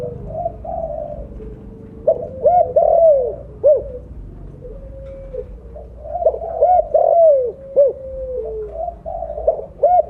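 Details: Spotted dove with mottled blorok plumage, a strong-voiced bird meant as a lure call, gives two full cooing phrases. Soft lead-in notes build to loud, arched, hollow coos and a falling tail, repeated after a pause.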